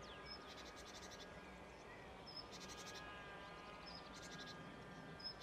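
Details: Song of a marsh warbler near Rijssen, 25 May 2016: grouped scratchy chatter bursts alternating with brief high whistled notes, set against a noisy rural background.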